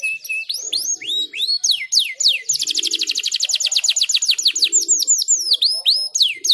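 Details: Chattering canary: a steady high note, rising and falling whistled sweeps, a dense fast trill lasting about two seconds, then varied looping phrases; faint low hum behind.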